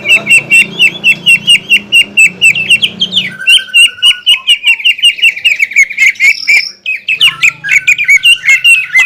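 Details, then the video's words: Greater green leafbird, kept in a cage, delivering a long series of rapidly repeated sharp chirps over low room hum, then rising and falling whistled notes with brief harsher phrases. "MASTERAN CUCAK IJO KELAS JUARA ISIAN MEWAH DAN TEMBAKAN KASAR SANG FIGHTER"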